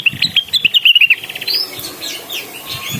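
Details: Cucak wilis singing loudly to call a rival: a quick run of sharp whistled notes around mid-high pitch, each note clipped and repeated rapidly for about a second, then fainter overlapping chirps and a high rising whistle.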